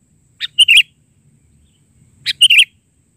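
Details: Two quick chirpy phrases from a sooty-headed bulbul in bahari-version isian song, each a rapid run of three or four bright notes, nearly two seconds apart, in quiet surroundings.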